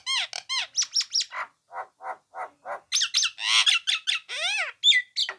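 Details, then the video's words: Nias hill myna singing energetically, pouring out a rapid series of varied notes: bright descending and rising whistles, shorter husky lower calls repeated several times, then dense, harsh, squawking bursts and arched whistles at the end. "Jalak Nias Gacor dor"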